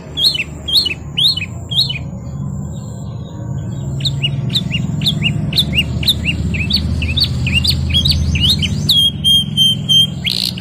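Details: Canary singing in the gacor ngerol nembak style: rapid repeated rising chirps high in pitch, about two per second, ending in a long steady whistle with sharp overtones, over a constant low hum.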